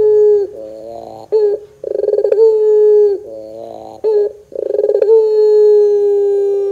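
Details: Barbary dove coos used as a lure to set young doves singing. Quick chattering laugh bursts each lead into a sustained, even, low hum-like coo; the pattern repeats three times.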